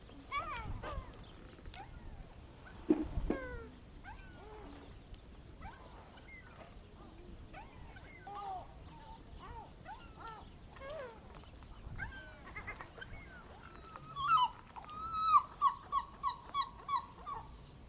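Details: A flock of gulls in an Ionian Sea fishing harbour as fishermen return, 21 March 2026 at 12:15, gives overlapping mewing, downslurred cries, ending in a loud run of laughing notes.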